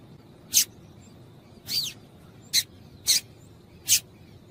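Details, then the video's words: Female yellow-bellied seedeater (papa-capim) calls meant to excite males into singing. Five brief, harsh chips come at uneven intervals, and the second is longer with a slurred, falling tone, against a constant faint hiss. "Piado de Fêmea de Papa capim Para Esquentar Papa capim"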